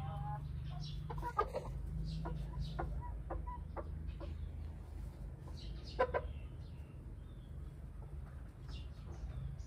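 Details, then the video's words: Chickens inside a coop at feeding time, hens chasing each other and a cockerel, giving short clucks in loose bursts, with some quicker runs of notes, over a steady low hum. "chicken cock a doodle do"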